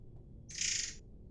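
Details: Air mancur bird from Sumatra, used as a lure when teaching white-rumped shamas to sing, producing a single short burst of dense, buzzy hissing song.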